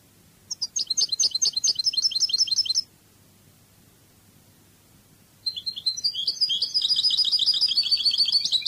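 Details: Cadiz-style goldfinch song with two long rapid trills, each a fast string of high buzzy notes, the second running on without a break after a pause of nearly three seconds.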